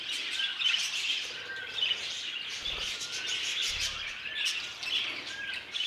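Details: Budgerigar in a new violet colour mutation; flowing, scratchy warble with repeated short whistles and a couple of soft low knocks in the background.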